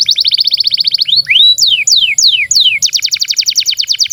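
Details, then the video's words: Long-singing canary used as tutor for young and silent canaries: fast even trill, a rising whistle, several slow sweeping downslurs, then another quick bright trill. "SUARA BURUNG Kenari GACOR PANJANG INI Cocok untuk Masteran KENARI PAUD dan Kenari Macet BUNYI"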